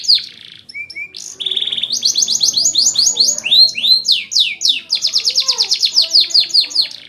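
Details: Caged canary singing actively, used to tutor young birds: short whistles and a buzzy rattle open, then loud rising swoops give way to long rapid trills of repeated falling notes.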